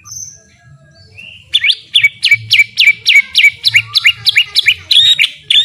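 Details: White-rumped shama song as training material: after a faint whistle, a rapid series of sharply falling whistled notes repeats about three times a second.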